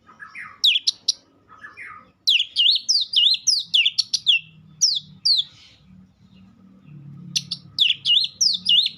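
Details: White-rumped shama song, a lively series of sharp whistled, slurred notes sweeping down and up, some in quick pairs, with short pauses between phrases and faint low hum beneath.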